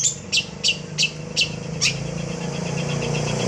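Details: Long-tailed shrike (cendet), a raw bird in full, lively song with a complete repertoire: five or six rasping high bursts about every third of a second, then a steady droning engine-like hum that carries on to the end.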